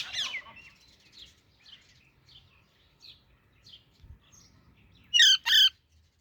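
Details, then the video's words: Baby Alexandrine parakeet: a harsh opening call, faint soft chirps trailing off, then two loud rasping squawks close together near the end. "Super Cute Baby Alexandrine Parrot Natural Sounds | Baby Parrot Chirping Sounds"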